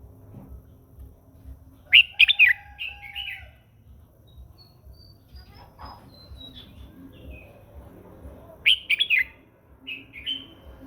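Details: A red-whiskered bulbul sings in the morning, training its voice and prompting other birds to sing; two clusters of sharp, rapid warbled notes about seven seconds apart, separated by quiet stretches with faint distant sounds.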